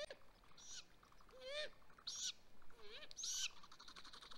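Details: Great grey owls at a nest in Mission Valley, where the male brought six prey on 12 May 2020 after 28 hours without food deliveries: short, wavering mid-pitched whistles mixed with harsh, hissing screeches, several in four seconds, over faint background hiss.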